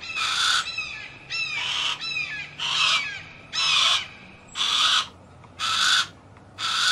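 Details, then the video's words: Harris's hawk giving a run of raspy screeches about once a second, overlapped at first by quick chirpy squeaks, with a constant low hum beneath. "Harris Hawk Noises"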